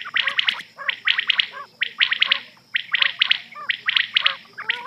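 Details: Rain quail (batair) at night, recorded as a hunting lure: harsh, buzzy chirps in tight bursts of two or three, repeated roughly every second, over a noisy background.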